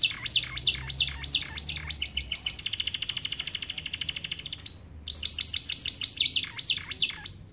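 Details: Canary with starblue colouring singing a rich, unusual song for tutoring young canaries: fast repeated trills of high chirps, a long buzzy rattling roll in the middle, then a sharp whistle and more quick descending notes.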